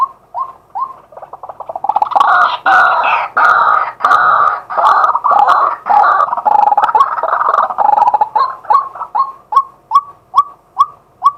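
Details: Daytime decoy male White-breasted waterhen, recorded live with a fixed camera: a few quick hoots lead into a long, loud, harsh chattering chorus, then trail off into a regular series of short rising notes.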